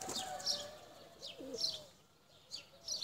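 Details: Tumbler pigeons, including blue çakmaklı birds, flown high; a couple of low, dipping coos in the middle, with bright high chirps at intervals.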